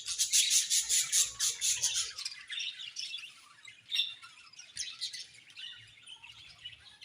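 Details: Budgerigar colony in a happy mood: a loud opening rush of fast, grating chirps repeated in quick pulses, then softer scattered twitters and warbles.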